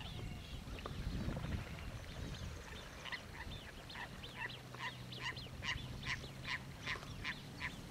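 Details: Hoary-headed grebe in Australia giving a run of short, harsh nasal notes about twice a second, after a low rumble of wind at the start and under a faint hum.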